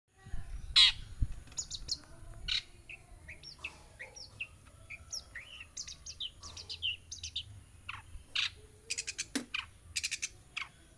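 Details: Long-tailed shrike, a hand-raised pet bird now grown, singing a varied chattering song of short high chirps, rising and falling whistled notes and scratchy bursts, delivered in irregular clusters over faint background hum.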